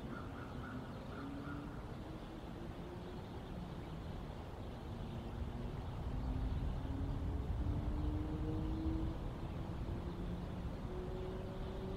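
A steady low rumble with slowly rising engine-like tones and no animal calls.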